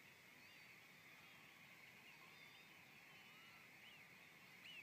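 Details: Part of a two-thousand-strong European golden plover flock piling into Middle Scrape at RSPB Frampton Marsh in the evening gives a steady wash of overlapping soft, plaintive whistles over faint hiss; a Cetti's Warbler calls just before 8 seconds.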